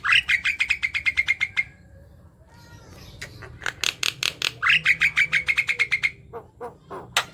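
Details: Javan myna chattering, noisy song used to prompt silent mynas to sing: rapid runs of sharp, evenly spaced clicking notes with a rising whistled start, a pause of softer mixed notes, then another fast repeated burst.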